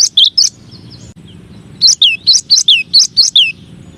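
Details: Cinereous tit, or gelatik batu / gelatik wingko, in a masteran song variation: three bright whistled notes, a short pause, then a quick series of about eight clear descending two-note whistles.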